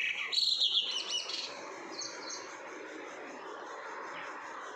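A Brahminy starling gives a quick burst of high, squeaky chirps and warbled notes in the first second and a half, then fainter calls over steady background hiss.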